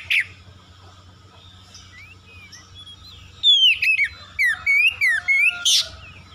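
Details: Oriental magpie-robin song used as a lure to provoke birds into fast, aggressive singing against a rival; after a quiet start with a few isolated notes, loud clear whistled and slurred phrases come in quick bursts during the second half.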